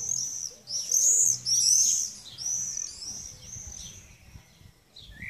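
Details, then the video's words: Common swifts screaming: shrill, very high, drawn-out screeches in overlapping bursts, loudest in the first two seconds, then fading as the birds pass, over faint low background noise. "Mauersegler Screaming"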